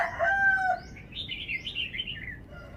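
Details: Cage-bird red-whiskered bulbul in phleng pa song: after a brief rooster crow, a flowing phrase of bright, wavering whistled notes rises and falls before fading.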